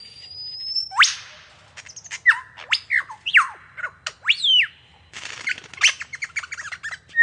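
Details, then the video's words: A lyrebird runs through its mimicry sequence before the courtship display: a thin rising whistle, sharp downslurred notes, chirps and rapid clicking chatter, changing every second or so. "The lyrebird makes magnificent sounds. Here is the sequence of mimics before the courtship display."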